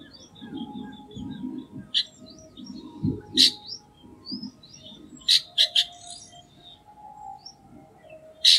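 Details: Chestnut-tailed starling (Sturnia malabarica) calling: thin high chirps and squeaky notes with several sharp clicking bursts, over a low murmuring noise.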